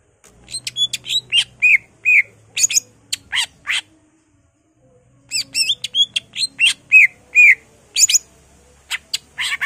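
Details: Greater green leafbird in a vigorous outburst of song mixing in imitations of other birds like magpie-robin and canary: dense bursts of high sharp chips, buzzy notes and short rising whistles, with a brief silence midway.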